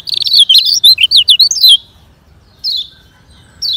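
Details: A fast-singing Lemon-bellied white-eye from Lombok, used as a training tutor for slow-singing birds, gives a fast, high, twittering burst of sweet slurred notes for over a second, then two brief falling phrases after pauses.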